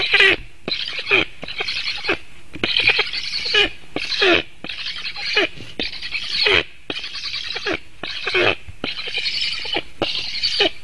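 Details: Black stork chick begging at its nest in Latvia on 7 August 2018, late morning, as the parent male arrives to feed it, recorded by webcam: harsh, raspy hissing bursts, each about half a second, repeated almost continuously with short pauses.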